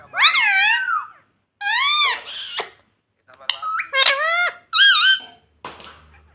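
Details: A pet ring-necked parrot in a small room repeats "mummy" in piercing, strongly harmonic bent syllables, separated by brief silences and clicks.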